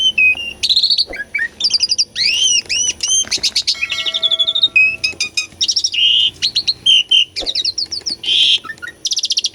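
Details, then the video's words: Energetic Asian pied starling song recorded live to coax birds that have stopped singing; stacked arched whistles, rapid trilled series, flat whistled notes and harsh bursts follow in quick, varied succession. "KICAUAN JALAK SUREN GACORAN - PANCINGAN JALAK UREN MACET PALING JITU..!!"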